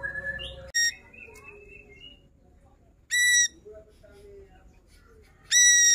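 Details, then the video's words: Ashy drongo singing energetically and showing off its repertoire of learned phrases, used for tutoring songbirds: thin whistled notes at the start, then loud nasal, harmonic bursts repeated about every two and a half seconds over a quiet background. "Srigunting abu - abu Gacor bongkar Isian"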